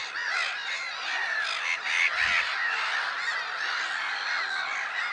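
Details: Black-headed gulls at Lake Sarymsak, Pavlodar region, Kazakhstan, 10 April 2011: a dense chorus of harsh overlapping squawking calls, steady and continuous, with many birds calling at once and no clear gaps.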